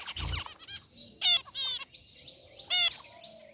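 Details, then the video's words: Zebra finches of white and gray varieties in an aviary give loud, nasal, trumpet-like honks, two of them standing out, amid softer chirps and a brief low thump at the start. "Cute Zebra Finches in Aviary | Relaxing Bird Chirping Sounds"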